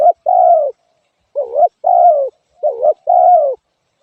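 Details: Spotted dove coos in even pairs, a brief wavering note leading into a longer descending coo, three pairs in quick succession with no other birds or noise.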